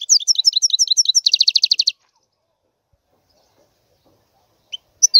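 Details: A European goldfinch twitters sharp high notes, then a rapid, metallic trill for about two seconds. Near silence follows, ended by two brief chirps.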